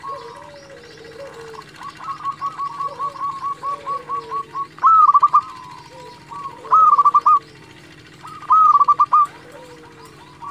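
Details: Local zebra dove in full song for luring and training quiet doves: a long, even series of soft coo notes, then three loud bubbling trill phrases, with a lower dove cooing in the background.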